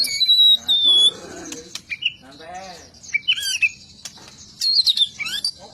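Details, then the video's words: White-rumped shama song: long high whistled notes and quick slurred phrases, interspersed with clicks and a soft low rustle. "Kicau burung murai batu super"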